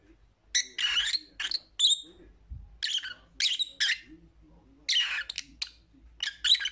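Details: Pet lovebird uttering sharp, raspy squawks in short clusters separated by brief pauses, with a couple of thin whistled chirps; faint low thumps in the background.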